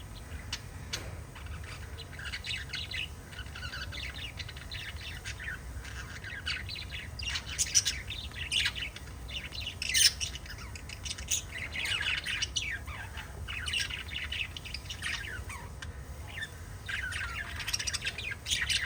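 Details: Five lovebirds chirping together: dense overlapping chatter of sharp high chirps and squeaky squawks, sparse at first, then building into a busy, continuous burst of calls with louder peaks.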